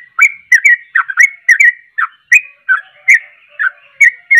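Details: Sooty-headed bulbul in full song: a quick, lively series of clear whistled notes that bend and gurgle up and down, repeated roughly twice a second, with no other sounds.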